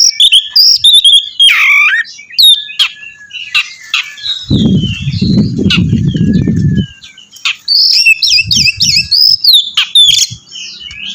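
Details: Oriental magpie-robin singing energetically to prompt another bird to sing, a rapid run of high whistles, slurred notes and sharp chips, with a low rumbling noise in the middle of the phrase.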